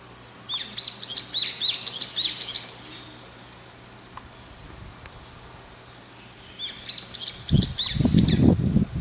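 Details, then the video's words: Brown-eared bulbul perched on an antenna, looking around while calling repeatedly; two bursts of rapid, high, upslurred notes, about six in quick succession, then a pause and another run, with a low rumble of noise near the end. "ヒヨドリの鳴き声～地鳴き～Brown-eared Bulbul"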